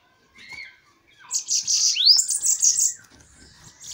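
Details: Bananaquit in a song duel: after faint scratchy notes, one loud, high, hissing buzzy trill introduced by a single rising whistled upsweep, then fading.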